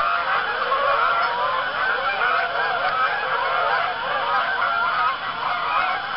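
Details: Geese gathering on an Arkansas pond at sunset in early October, two gray geese resident there and others flying in; continuous loud honking from a large flock, many voices tangled together.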